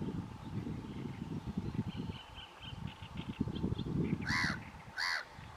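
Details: Common tern, one of a pair sitting at their nest near Trakai Castle, Lithuania, on 4 June 2022, giving two harsh, grating, down-slurred calls near the end over steady low wind or water rumble.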